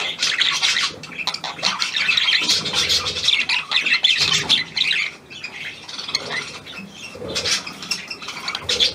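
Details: Newly acquired hand-tame Australian pied budgerigar, 17 February 2023: rapid, uneven clicking chatter and squawks for about five seconds, then softer, sparser notes.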